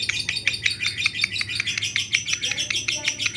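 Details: Lovebird calling in answer after hearing another lovebird: rapid, sharp, high chirps repeated about five times per second in a steady run, with a low hum underneath.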